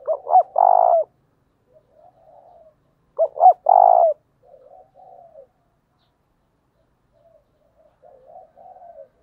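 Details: Spotted dove coo, played to draw wild doves in: two loud phrases, each two quick hiccuping notes and then a long burry coo, followed by soft, lower trailing coos in near silence.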